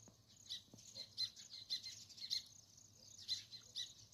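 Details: Sparrows chirping: quick, high, overlapping chirps from several birds, coming in bursts about twice a second, with a low steady hum beneath.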